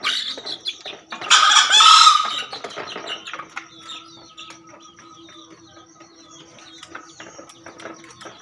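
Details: A single rough, explosive crow from a male Javan green junglefowl, about a second long, followed by a long stretch of quiet ticking and faint steady high background tones.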